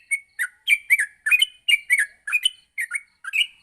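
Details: A yellow-vented bulbul's morning training song for other bulbuls; about a dozen bright, slurred chirps with bent notes, some paired, spaced roughly a third of a second apart in a short, clean run.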